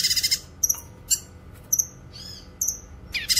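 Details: Cucak kinoy song suited to training and luring wild birds: bursts of rapid rattling at start and end framing high chirps, doubled whistles and a slurred warble, over a faint hum.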